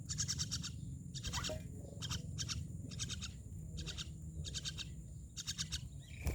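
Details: Myna repeating short harsh rasping bursts about every half second, with a low droning background noise and a brief click near the end.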